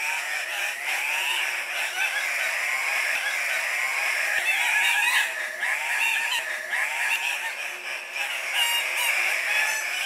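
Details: Several male Andean cock-of-the-rock calling at a lek while displaying, bobbing and hopping for females: continuous overlapping squawks and wavering nasal notes, occasional soft clicks, with the chorus swelling and easing in waves.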